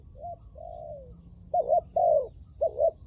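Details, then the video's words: Spotted dove used as a decoy bird in Thailand for luring wild doves; a soft short coo and a drawn falling note, then three louder, fuller double-hump coos in quick succession. "เสียงนกเขาใหญ่หลิ่วตัน ต่อนกเขาใหญ่"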